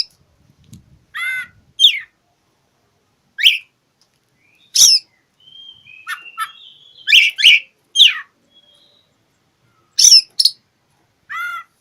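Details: Challenging song of an Oriental magpie-robin, meant to goad mute birds into singing: loud sharp whistled notes, buzzy rising phrases and harsh chips in irregular bursts, some brief low rustles early on.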